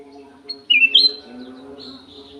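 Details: Golden-fronted leafbird in an aviary: a short burst of loud, clear whistles, first sliding down, then leaping higher and holding a bright note. A faint steady low hum runs underneath.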